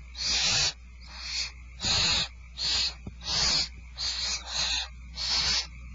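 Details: Barn owls at Starr Ranch at dinner time, 2/1/12: eight harsh, breathy hissing screeches, each roughly half a second long, come in quick succession with brief silent gaps between them.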